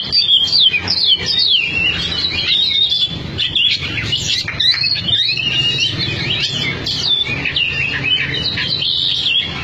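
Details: Oriental magpie-robin kept for song contests in Cianjur singing a fast, varied stream of looping whistles, upslurs and rasping chatter, with steady low background noise.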